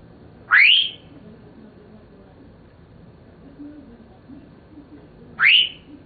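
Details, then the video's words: Senegal parrot, a seven-year-old male pet, described as talking; two clear upward-sweeping whistles rising from mid to high pitch, spaced about five seconds apart, with faint murmuring in the background. "Senegal Parrot Talking"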